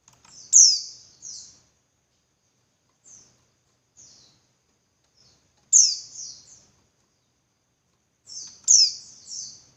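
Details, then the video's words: A female Javan white-eye gives calls meant to stir males into song and breeding excitement: three bursts of sharp, high, falling buzzy notes about every three seconds, with softer single notes between and near silence otherwise. "Suara Burung Pleci Betina Buat Pancingan Pleci Jantan Biar Ngalas Lebih Ngotot"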